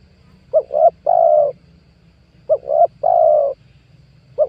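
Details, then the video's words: Spotted dove call used as a decoy for trapping wild doves; two short rising coos then one long sustained coo, the phrase repeated twice, with a low hum beneath. "PANGGILAN TUKUKUR PIKAT 2022 COCOK BUAT PANCINGAN TEKUKUR LIAR"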